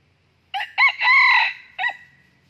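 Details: Red junglefowl crowing during wild trapping, where a decoy rooster lures and fights a wild young male: a loud, harsh crow of two clipped opening notes, a longer strained middle note and a short final note, in a quiet background.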